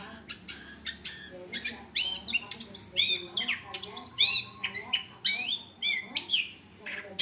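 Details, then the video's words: Long-tailed shrike song used as a training model for other birds: a rapid, varied jumble of whistles, slurred upward notes and scratchy chatter, continuous and busy throughout. "masteran suara cendet"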